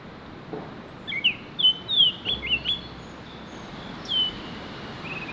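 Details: Baltimore oriole (Icterus galbula), song.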